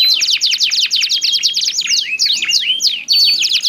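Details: Back-and-forth singing of two canaries with contrasting voices: fast repeated downslurred chirps at first, shifting to slower looping swept notes and then a fresh rapid trill burst.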